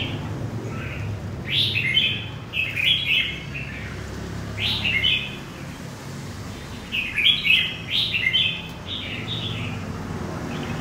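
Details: Red-whiskered bulbul, a newly wild-caught bird from central Vietnam, delivering bursts of bright, bubbly warbled phrases in clusters a few seconds apart, each a quick run of rising and falling notes, over low background rumble.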